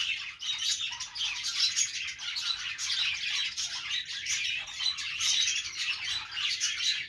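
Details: Pet budgerigars in a morning routine making happy sounds: overlapping high twittering and buzzy warbles run without a break, with short bright chirps poking out every second or so.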